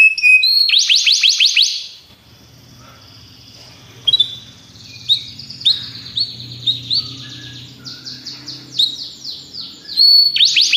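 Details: Belgian canary song of fast trills, thin sustained whistles and scattered short chirps separated by quiet gaps, with a faint low hum underneath.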